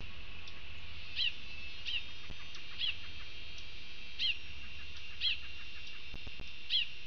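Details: Trio of Orange-billed Sparrows foraging at a Panama fruit feeder platform, 14 January 2020, giving short, sharp, high chip notes about a second apart over a steady low rumble and faint continuous hum.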